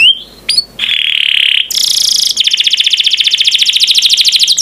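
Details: Canary master song for training birds: a short rising note, then a long steady whistle, a high buzzy tone and a long fast trill of rapid repeated notes.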